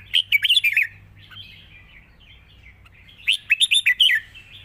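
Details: Red-whiskered bulbul, a light-voiced and easy-singing bird, giving a long song with 'rik' notes. Two bursts of quick, liquid whistled notes rise and fall, separated by a softer, quieter warble, with a faint low hum behind.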